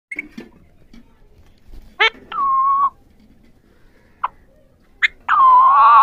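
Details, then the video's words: Three ringneck parrots, also called Pahari parrots, talking: scattered short squeaky notes, then two drawn-out, level whistled calls with a wavering tone, separated by quiet pauses. "3 Ringneck Parrots Talking | Pahari Parrots"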